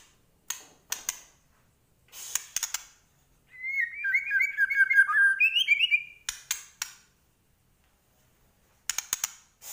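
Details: Medan white-rumped shama singing chatty full-isian song. Groups of dry clicking notes around one burst of quick, varied whistled slurs lasting about two and a half seconds.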